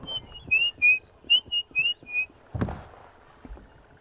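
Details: Robins in a drainage line on an early-morning safari drive, 27 August 2015: a run of clear, high whistled notes, about eight in two seconds, some slurred up or down, then a dull knock and low vehicle rumble.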